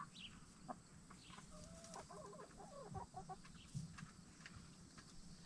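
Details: Free-range Black Star and Bielefelder hens getting settled for the night inside their movable chicken tractor, murmuring a run of tonal, wavering clucks through the middle against low rumbling background noise.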